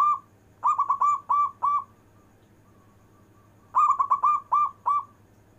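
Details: Local zebra dove singing with long breath, used to draw lazy zebra doves into song: two bursts of five or six quick bubbling coo notes separated by a pause of about two seconds, low steady hum behind.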